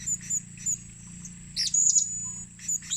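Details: Short, very high chirps from a blue-crowned hanging parrot used as a lure, spaced singly at first, then a brief louder cluster of squeaky notes midway and a few more at the end, over a low hum.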